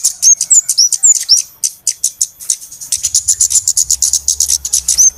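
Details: Flowerpeckers in a busy lure recording made for bird trapping: rapid high, thin chirps and ticks at about four per second, with a few sharp upslurred whistles early on and near the end.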